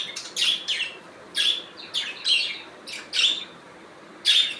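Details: Budgie natural sounds: short, harsh, high chirps in loose pairs, spaced roughly every second, each with a slight downward slur and buzzy texture.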